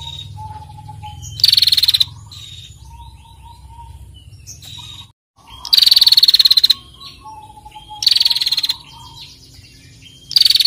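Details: Female bar-winged prinia repeating a fast, pulsed, buzzy 'ngetirrr' trill, used to set other birds singing. Four short bursts are spaced unevenly over ten seconds, with faint whistled notes and a low rumble in between.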